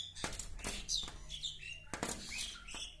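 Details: Asian (Indian) pied myna (Gracupica contra) attacking its reflection in a window pane gives brief, squeaky whistled notes between loud taps and wing flutters; it grows more excited as a companion joins.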